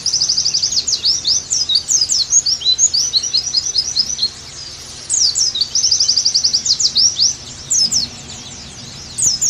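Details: Oriental white-eye song for pleci therapy and tutoring: a fast even trill into tumbling high twitters, a quiet gap, then more trills and sharp swept notes.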